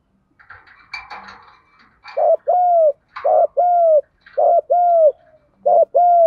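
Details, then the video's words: Spotted dove lure call to stimulate other doves: after soft chirping, three loud paired coos, each a brief note followed by a longer steady hoot, spaced about a second apart. "Tiếng chim cu gáy GÙ Đấu cực chuẩn để kích bổi mới"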